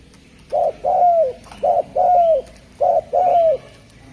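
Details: Three evenly spaced two-part coos from a Javan spotted dove (derkuku Jawa): a brief low note, then a sustained coo sliding down at its end, about once a second, with a soft background hum.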